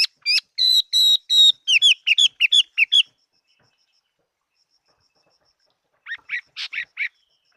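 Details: A fighting-type Chinese hwamei pours out a fast, accelerating series of bright whistled notes, from longer level tones to quick downslurs. Silence follows, then a short cluster of rising-falling whistles.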